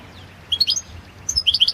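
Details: Balkan goldfinch (Carduelis carduelis balcanica) in a 2022 competition song recording: two bright phrases of quick, liquid high chirps and short whistles, the second a rapid twittering run, with a faint low hum beneath.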